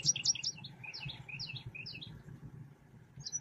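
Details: Fairly quiet lure recording of a selendang biru songbird used for trapping: a few sharp high chirps followed by a string of evenly spaced, softer downslurred notes, then a brief high note near the end, over a low hum.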